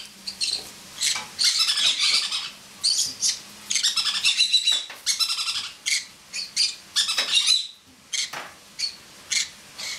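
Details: Pet male pineapple conure laughing on a person's head, other household birds bathing and talking; long chattering sequences of pulsed harsh notes, then spaced single chirps toward the end.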